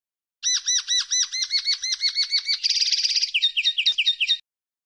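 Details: Song of a common linnet: a long run of repeated arched, whistled notes, then a dense buzzy trill, ending in a few sharper twittered notes. Lasts about four seconds against a quiet background.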